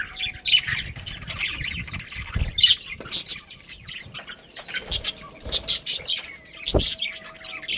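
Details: Budgerigar colony kept for breeding, scattered sharp chirps and scratchy calls in irregular bursts, quiet gaps between, with an occasional low knock and faint wing flutter.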